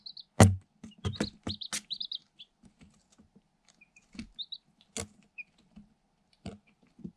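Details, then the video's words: Day-old Light Sussex chicks, eight in a cardboard box, are pecking at a camera hole. Clusters of shrill peeps come early, then sparser single cheeps. Sharp pecking clicks and knocks are heard throughout. "Day-Old Chicks - One Hour Ambient Sound"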